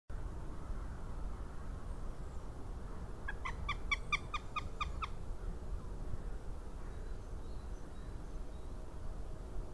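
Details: Juvenile northern goshawk at a nest webcam in Latvia, 20 March 2018, giving a short burst of about ten rapid, harsh, evenly spaced calls midway through, with a steady low rumble of background noise before and after.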